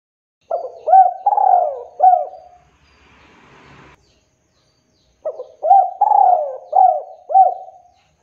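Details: Male spotted dove calling to lure other doves into answering; two phrases of low, mellow cooing notes, each about five hooting coos with a rising upturn, separated by a short quiet gap with faint rustling noise.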